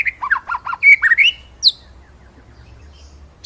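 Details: White-rumped shama master song for training other birds: a quick run of varied whistled notes around the middle range, then a sharp high rising note and silence.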